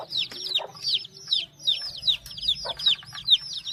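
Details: Young chickens call in loud, high, falling peeps repeated roughly twice a second, with a few lower clucks mixed in.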